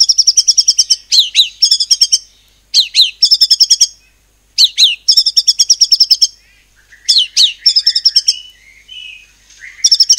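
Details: Loud white-rumped shama song copying cililin, meant to make other birds sing: dense volleys of fast, bright repeated notes, each volley eight to ten notes, linked by sharp falling whistles and brief pauses.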